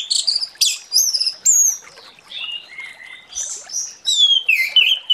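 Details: Orange-headed thrush in loud, open morning song used to prompt silent birds to answer: bursts of high sharp notes, long falling whistles, then a stuttering cluster ending in a slurred descending whistle.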